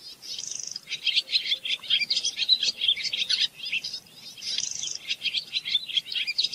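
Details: Barn swallow singing a lively, jumbled warble of chirps that runs into a dry, buzzy rattle of rapid clicks, then a high squeaky note and renewed twittering.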